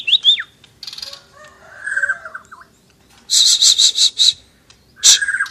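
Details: Asian brown flycatcher singing eagerly, with sharp downslurred whistles, buzzy trills and a loud run of rapid high, harsh repeated notes.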